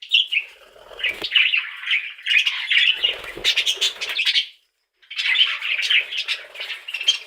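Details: Budgerigars chirping in a steady warbling chatter of rapid buzzy notes, with a short silent gap just before five seconds and scattered clicks or wing flutters.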